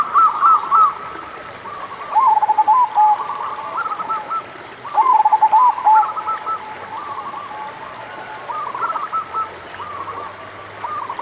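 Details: Local zebra dove singing as a lure for doves that are lazy to sing. Short rattling phrases of quick, mellow coos are repeated every few seconds, some loud and some softer, with quiet pauses between.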